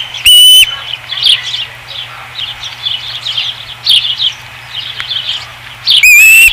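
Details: Osprey at the Dunrovin Ranch nest, 5 August 2016: a single loud whistle opens and another closes the clip. Between them come faint, scattered high chirps over a quiet background.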